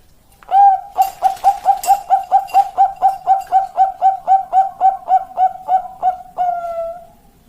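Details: Long song of a zebra dove: roughly twenty rapid, evenly spaced soft coos in a steady rolling train, closing on one drawn-out level note that fades away, over a quiet background.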